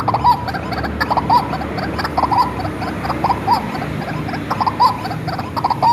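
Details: Hand-reared white-breasted waterhen kept as a lure bird: harsh croaking phrases repeated close to once a second in an uneven rhythm, a faint low hum beneath.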